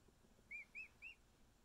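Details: A male emu chick just over a week old snuggles with keepers, giving three clear, short whistled peeps, each rising then falling, evenly spaced about a quarter second apart against quiet background hiss.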